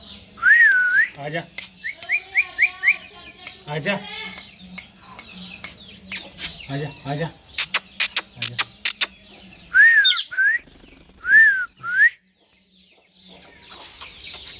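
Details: A talking parrot mixes speech-like babble, rapid clicks and several loud whistled dipping phrases, with bursts of chatter between them.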